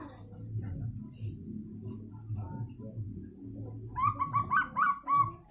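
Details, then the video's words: Local wild-type zebra dove, perkutut, giving one stuttered bout of rapid soft hooting notes that ends in a drawn coo, after a stretch of low rumbling noise and a faint steady whine; a sharp click closes it. "PERKUTUT LOKAL ALAM SUARA ANEH"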